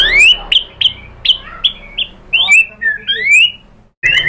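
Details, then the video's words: White-rumped shama singing to provoke other birds into answering: rapid varied whistled phrases, sweeping up and down, clipped notes in quick succession with short pauses, clear and loud throughout. "SUARA MURAI BATU AMPUH ‼️ bikin NYAUT GACOR BONGKAR MATERI ISIAN ¦ PANCINGAN MURAI ¦ SHAMA BIRD"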